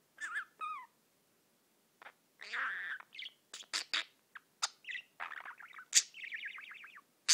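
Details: Pet budgie singing and tweeting: varied chatter of descending whistles, harsh buzzy notes, sharp clicks and a fast trilled run near the end, delivered in irregular bursts with quiet gaps.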